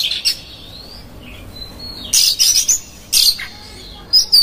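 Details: Oriental magpie-robin lure singing to rouse rival magpie-robins: a rasp, a thin rising whistle and small twitters, then paired harsh chattering bursts with squeaky notes.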